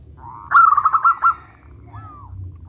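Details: Zebra dove, local type, sings loudly: a sharp, rapid trilled burst of bubbling coos for about a second, then a single smooth arched note.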